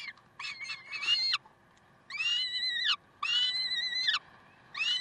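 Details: Peregrine falcons at Karlsruhe on 30 May 2010 at 7:27: long, drawn-out, harmonic wailing calls with level pitch that fall away at the end, given in separate bouts under a second long, with quieter shorter notes between.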